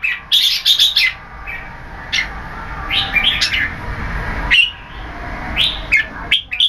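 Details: Red-whiskered bulbul (jambul) with growing tail feathers, singing in keke competition style; a loud quick series of bright whistled notes, then scattered rising and falling whistles.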